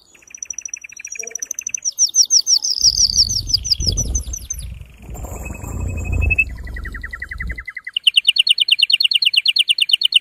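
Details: Male canary singing an agitated mating-stimulation song, fast high trills changing pitch every second or two, with a low rumbling background noise through the middle section.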